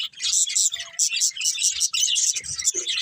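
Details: Budgerigar breeding pair chirping: short, bright, buzzy chirps tumble out in quick bursts over a few seconds, high and scratchy throughout.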